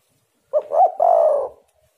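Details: A single spotted dove phrase used as a lure for other doves: a short soft note, a rising-then-falling coo and a long, vibrating, slightly descending coo, all in clean silence.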